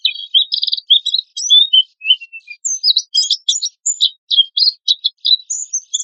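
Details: Oriental white-eye singing the harsh 'tembakan kasar' style, used as a lure and master song; a choppy, varied mix of buzzy trills, thin whistles and clipped high chips, in a clean recording.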